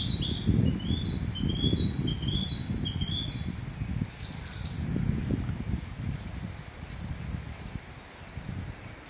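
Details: Narcissus flycatcher song, a series of high, fluty whistled notes and slurs given in quick succession, strongest early and fading later, heard above a constant deep rumble of handling noise.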